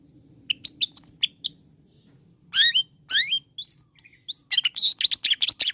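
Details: Long-tailed shrike song used as bait to rouse a listless shrike into singing: a few sharp high chirps, a pause, then rapid varied whistles, upslurred notes and buzzy trills, growing denser toward the end, over a faint low hum.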